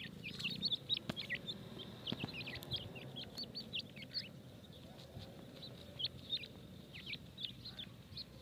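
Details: Feeding grey francolin chicks uttering a busy stream of thin, high chirps and short upward peeps, with a few sharp clicks and a low background rumble.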